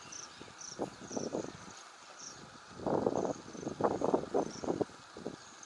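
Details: Asian pied starling (Sturnus contra) at Motisagar pond, Agar Malwa, giving harsh, chattering bursts of mid-pitched notes in two bouts, with faint high insect ticking throughout.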